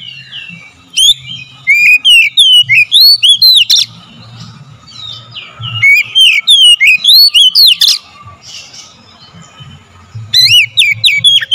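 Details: Oriental magpie-robin song played as a lure to provoke singing: three bursts of rapid, varied whistled notes, sweeping up and down, separated by short pauses, over a faint low hum.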